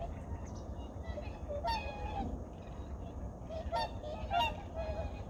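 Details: Migratory birds at Junam Reservoir, Changwon, early morning in 2019: a busy flock trading loud, harsh, broad-band honks and shorter nasal notes roughly every second, over low continuous background noise.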